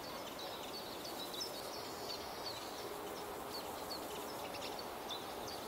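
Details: ['Singing common chiffchaff, recorded at Beemdkant in Wijnegem on 26 June 2020, gives faint, high chip-like notes scattered through the clip, half buried in constant rushing environmental noise.']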